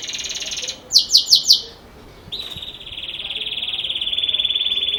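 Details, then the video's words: Belgian canary in campainha (bell) song style: a buzzy trill, four ringing whistled notes, then a long, even, rolling trill that carries to the end. "Canário Belga Canto Campainha Ótimo Para Filhotes"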